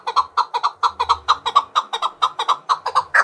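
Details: Song of a fight-trained Chukar partridge challenging rivals: quick, regularly spaced rasping chuk notes, frequently doubled, repeated steadily for over three seconds, ending on a louder note.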